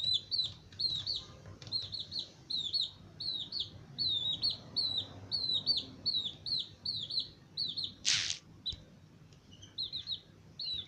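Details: 22-day-old male Aseel breed chicks peep steadily, about three high, thin, slightly falling chirps each second, broken once by a brief scratchy rustle.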